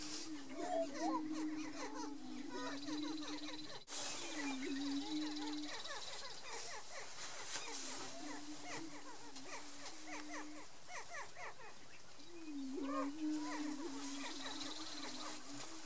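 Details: Male greater prairie-chickens display on a spring lek in Colorado (March–April), booming in a low, hollow, overlapping moan with sharp cackles and whoops scattered above it as they compete for females.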